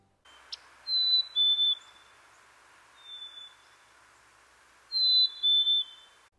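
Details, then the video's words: A Black-capped Chickadee in an eastern North American backyard gives its springtime call, said to sound like "cheeseburger": clear, pure whistles, a higher note dropping to lower ones, in two bright phrases around a fainter single note, over a soft hiss. "another call made by chickadees called the springtime call sounds similar to cheeseburger"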